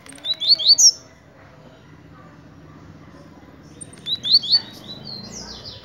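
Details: Blue-black grassquit (tiziu) singing two short, high, sharp phrases of rapid chirpy notes, about four seconds apart, with quiet background hiss between them.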